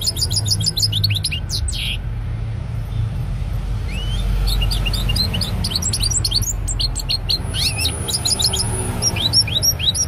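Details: European goldfinch delivering a lively, fast-paced song of sharp tinkling chirps, rising slurred notes and brief buzzy trills, nearly unbroken throughout, against a low background hum.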